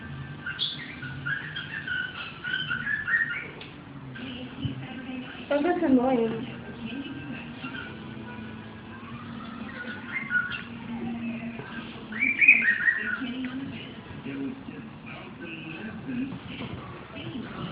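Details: A pet cockatiel, talking or singing, chatters and whistles in bursts of warbled, speech-like notes.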